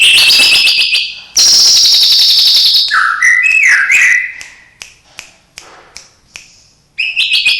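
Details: Caged white-rumped shama song with imitations of other birds: high rattling trills, a loud sustained buzzy trill, then lower slurred whistled phrases, followed by scattered short clicks and a renewed rapid high trill.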